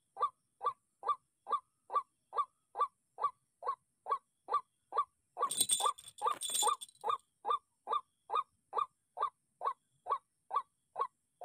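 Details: An agitated white-breasted waterhen, provoked by a played decoy call during trapping, gives a steady series of hoarse, croaking notes, a little over two per second, with a brief burst of rustling noise midway.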